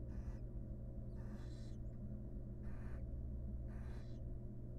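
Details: Barn owl mother grooming her young in a wild nest box under camera. Several drawn-out, noisy hissing screeches sound roughly every second, masked by a steady deep hum.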